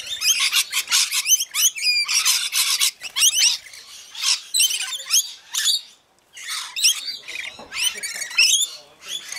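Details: Rainbow lorikeets feeding in a frenzy at Mount Tamborine, Queensland: continuous shrill chattering and screeching from a crowd of birds, with quick wavering whistled notes and a brief hush midway.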